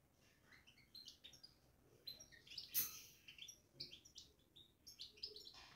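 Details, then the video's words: European goldfinch in a cage, babbling softly: faint, quick, high twittering notes and tinkling chirps over a steady background hiss, with one louder burst near the middle. "بتبتة الحسون في السلاكة"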